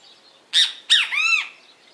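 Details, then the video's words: A great kiskadee singing in nature gives its loud, harsh three-part phrase: two quick raspy notes, then a longer, drawn-out, arching note, against an otherwise quiet background. "BEM-TE-VI CANTANDO"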